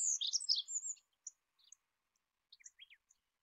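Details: Olive-backed pipit song, Anthus hodgsoni: a brief, dense burst of high, thin twittering notes lasting about a second, followed by scattered short chirps and quick downslurred notes against a silent background.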